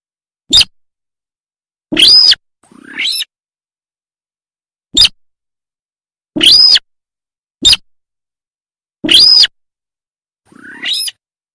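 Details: Buff-banded rail, a recording used as a daytime lure for hanging snares: short, sharp squeaky notes and longer harsh, buzzy screeches in irregular groups over quiet, clean silence.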